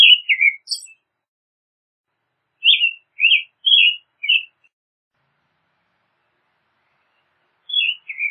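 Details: American robin song with bursts of short whistled, warbling phrases, a group of four fast phrases mid-way, then a silent gap before a final pair of falling notes.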